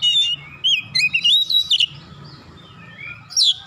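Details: Fast gacor singing by an oriental magpie-robin, meant to get other magpie-robins heated up: a tumbling, varied stream of rising and falling whistles, chirps and warbles, with a loud burst at the end and a faint low rumble beneath.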